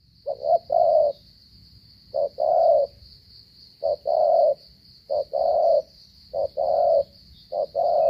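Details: Cà Mau spotted dove in a stuttering coo style: each phrase is a clipped short note followed by a longer hollow coo, repeated about every one and a half seconds, over a constant high-pitched whine.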